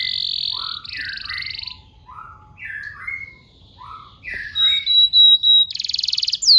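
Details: Canary song for training young canaries to sing; buzzy harsh phrases alternate with short slurred descending notes, then a thin high whistle and rapid buzzing trills near the end.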